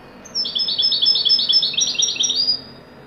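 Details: Lively European goldfinch song: a continuous two-second stream of quick, metallic twitters and thin whistles, rolling and jangling without pause before stopping abruptly.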